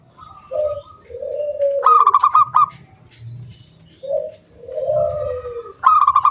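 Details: Local wild zebra dove singing loudly in the round-ended 'kung bulat' style, recorded as a lure for other doves. Two full phrases, each a short note and then a long, descending coo, separated by bursts of fast, crisp, repeated notes.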